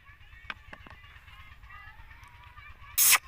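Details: Green ringneck parrots kept in a group, said to be talking "mitthu mitthu"; faint wavering voice-like chatter runs through, then a sudden loud harsh screech near the end.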